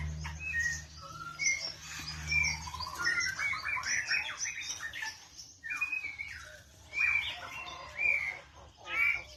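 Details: Oriental magpie-robin singing a varied sequence of clear whistles, short slurred notes and chattering bursts at irregular intervals, with a faint low hum early on.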